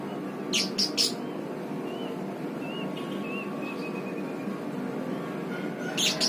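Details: Pastel-coloured lovebird giving a few short, sharp high chirps near the start and end, with soft thin whistled notes between, over a steady low background hum.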